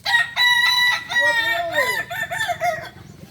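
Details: Kukuak balenggek rooster crowing during a contest final in Ampang Kualo, Solok, 8 September 2024: two level ringing notes, a swooping downward arc, then a string of short bouncing syllables tapering off.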